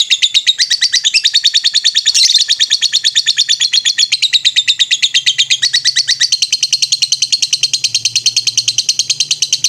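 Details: Lovebird recorded as a master for bird training, in the ngetrek style: dense, relentless rattle of shrill chirps, regular and fast, sliding between higher and lower pitch bands, with a faint low hum beneath.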